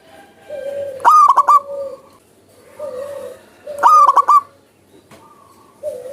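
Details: Zebra dove singing in natural surroundings. Two emphatic stuttered coo phrases are separated by about three seconds, over low humming hoots and a fainter higher call.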